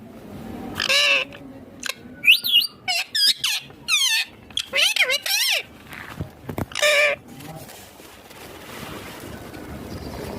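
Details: Talking green Indian ringneck parakeet: a cluster of clipped, high, speech-like syllables and squeaks in the first half, then quieter room noise with one more burst.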